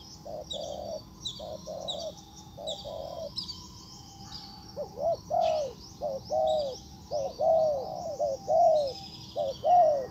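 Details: Spotted dove used as a decoy to call in a wild bird: softer, even coos at first, then louder, swelling two- and three-note cooing phrases, with other small birds chirping high above.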